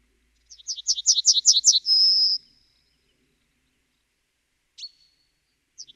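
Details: Yellowhammer singing a fast string of about nine high, buzzy notes ending in a long steady tone, followed by a single short sharp call and the start of another phrase.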